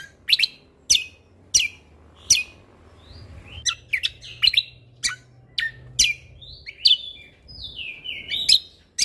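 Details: Lesser green leafbird singing in a chatty, spirited style, used as a tutor recording with 'tembakan' bursts: sharp, high downslurred notes spaced about half a second apart, later a run of slurred, warbled phrases, over faint low hum.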